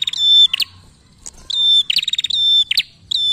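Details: Prinia singing, played to prompt other birds to sing; a sustained high pure whistled tone broken by short buzzy chips, repeated in phrases about a second apart.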